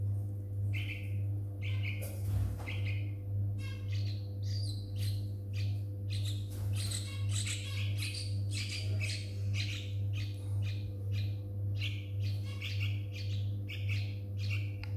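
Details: Two young yellow-vented bulbuls found on the ground in a front yard after a night thunderstorm, calling with harsh, raspy squawks repeated roughly twice per second over a steady loud low hum.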